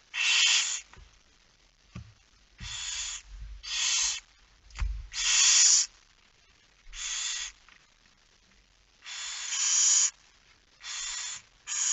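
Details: Barn owls feeding at their nest at night in Friesland, Netherlands, 10 September 2019; loud breathy hissing screeches in uneven bursts, with a few low knocks between them.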